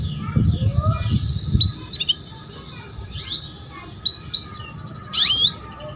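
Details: Female canary calling to lure a male into song: sharp upward-sweeping chirps and short buzzy trills high in pitch, in bursts about a second apart, over a low rumbling background noise at the start.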